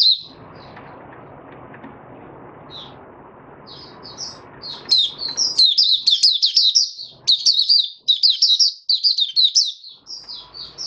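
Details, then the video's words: Oriental white-eye in a cage giving open song, fifth day after its monthly deworming, 20 January 2022. A few scattered high chirps over low hum build into a long, dense, fast twittering outpouring. "Mata Puteh Raja Video 1 buka sing"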